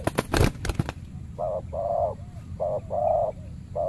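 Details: Territorial spotted dove, the aggressive ruler of a banana plantation, answering a trained decoy dove during trapping; a few sharp knocks and rustles open, then a run of loud, full, low coos, two drawn out, with brief soft notes between.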